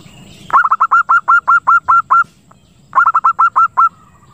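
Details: Zebra dove call used to lure birds and stimulate breeding: two series of quick coos, about ten and then seven notes, each note swooping up then holding steady. Rhythmic and loud over a quiet background.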